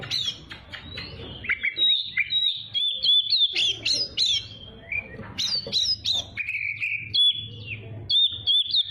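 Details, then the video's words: Oriental magpie-robin, a young bird's training recording meant to make it sing fast and rouse rivals: a rich, varied run of clear whistles, sharp upslurred notes and quick chattering phrases, mostly high-pitched, flowing almost continuously with brief gaps. "Masteran Kacer Muda Biar Cepat Gacor || Kacer Gacor Bikin Emosi Lawan"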